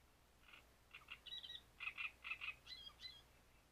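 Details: Great reed warbler singing at Grachevka, a loud run of harsh, croaking, rhythmic syllables repeated in pairs and clusters, rising into squeakier higher notes near the end, over a quiet background.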